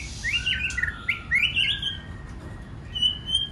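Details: White-rumped shama song meant to excite other shamas into singing: a tight cluster of slurred warbling notes over a faint steady tone, then a thin high whistle.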